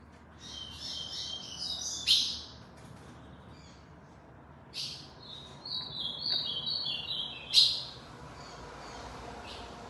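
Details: Ultramarine grosbeak kept for song contests in Aracaju, Sergipe, Brazil: two high chattering warbled phrases several seconds apart, each punctuated by a sharp loud click-like burst, over steady low hiss.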